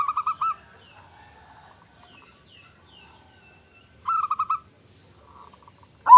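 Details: Local zebra dove with a big voice, its song meant to attract other zebra doves: two short bursts of quick rolling coos separated by a long quiet gap, faint coos between.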